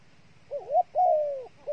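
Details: Brief cooing from a dove used as bait: a wavering rising note, then a long smooth hoot sliding gradually downward.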